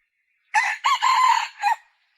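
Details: One hoarse call from a red junglefowl hen. A quick first note, then a long steady middle section, ends in a short sharp tail note, all within about one and a half seconds.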